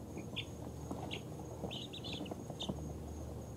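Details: Baby chickens two weeks old, a mix of ISA Brown, Barred Rock, Easter Egger, Speckled Sussex and Australorp, settling to sleep; a few short high peeps in small clusters over a low background hum.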